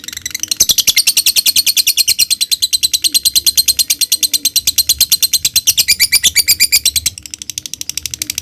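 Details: A lovebird delivers a sustained ngekek, meant as a lure to prompt another lovebird to sing. A dense, shrill, chattering trill starts abruptly, holds high and fast for six seconds, then drops to a quieter rattle.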